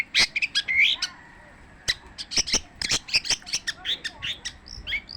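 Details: Long-tailed shrike (cendet) in continuous song, a rapid jumble of sharp clicks, high chirps and short squeaky notes, with a brief pause before the busy chattering run resumes.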